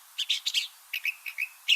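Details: California thrasher (Toxostoma redivivum) song: a rapid-fire run of harsh, scratchy high notes, several in quick double phrasing, then short clear whistled phrases, possibly including mimicry.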